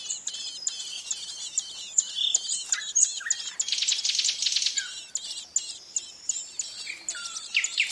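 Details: Ouzel nestlings in the nest: a dense, continuous chorus of high, thin chirps and short overlapping squeaks, with louder bursts in the middle and a few lower downslurred notes.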